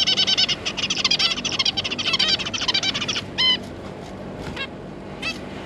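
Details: Adult zebra finch pair with three juveniles, 9 June 2022: dense rapid twittering chatter for about three seconds, followed by a few separate loud nasal honk-like calls.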